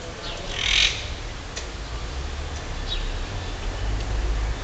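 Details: Emerald-green parakeets from a newly settled community in Rome, Italy, breaking twigs with their beaks to build nests in trees; one loud harsh squawk early on, then a few faint short chirps over steady low wind rumble.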